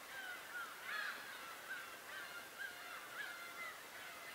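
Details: Birds calling on Tobishima: several short, nasal, harmonic cries come in quick succession, some slurred downward, over a background of other overlapping calls.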